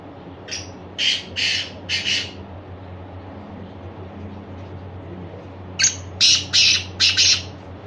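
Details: Black francolin (Francolinus francolinus), call.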